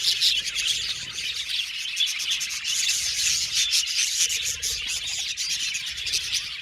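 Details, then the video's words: Budgies singing and chirping in an aviary colony: steady, high, raspy chatter from many birds, thick and continuous with quick scratchy chirps throughout. "Budgies singing and chirping sound"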